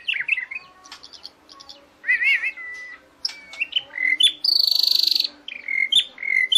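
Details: White-rumped shama singing a varied run of clear whistled phrases. Some notes are slurred and some rise. In the middle comes a fast, dense buzzy trill, and then more whistles follow.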